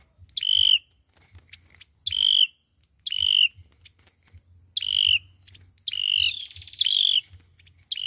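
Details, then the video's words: Olive-backed sunbird fighting song used to lure birds into traps: sharp upswept notes sliding into slightly buzzy level whistles, uttered every second or so, with some trill mixed in and faint low rumble. "Tiếng chim sâu dừa | sâu dừa hót đấu | tiếng sâu dừa mồi"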